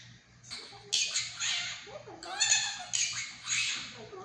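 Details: Monk parakeet imitating human speech in a home; several gravelly, squawky word-like phrases in quick succession, some with a nasal buzzy tone, over a faint constant hum.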